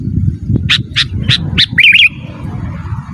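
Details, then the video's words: Sooty-headed bulbul, natural song without added phrases: four evenly spaced sharp chirps lead into a rolling, bubbly warble, then one more chirp, with low rumble underneath. "Suara Burung KUTILANG GACOR Asli Tanpa ISIAN 100% Ampun Untuk Suara Panggilan dan Masteran"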